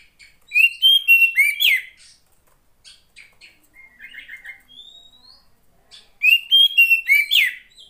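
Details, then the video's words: Oriental magpie-robin female, kept to stimulate reluctant males to sing, giving two loud bursts of clear whistled notes with rich harmonics, separated by a quieter stretch of soft chirps and a rising whistle. "SUARA KACER,POCI BETINA,terapi untuk memancing burung jantan yang males bunyi"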